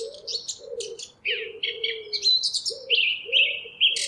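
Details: A Eurasian blackcap delivers rapid scratchy warbling that turns into louder, fluty notes, over steady low cooing from a dove.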